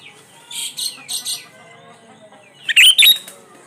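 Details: Sooty-headed bulbul song used as a lure for birds that seldom sing: a few softer, sliding notes first, then a loud, scratchy double burst of quick notes, with faint background chirps.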